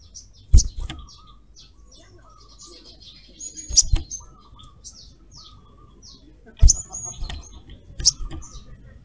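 A ruby-cheeked sunbird gives thin, very high chirps in short bursts. Softer whistled notes sound lower in the background, with a few loud knocks and thumps.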